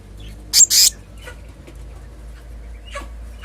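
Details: Selendang biru (kehicap ngombyok) uttering a quick double rasp, two loud hissing bursts, followed by faint scattered chips in a quiet setting.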